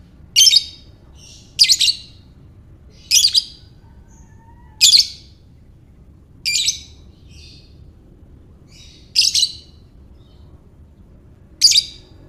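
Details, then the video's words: Lovebird ngekek calling meant to rouse other lovebirds: harsh, high squawky chirps repeated roughly every one and a half seconds, some doubled, over a low steady background hum. "Lovebird Ngekek"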